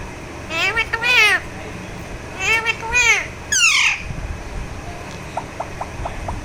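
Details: Pet Alexandrine parakeet being massaged utters paired harsh, arching squawks and a sharp descending screech, followed by a few faint ticking sounds and low background rumble.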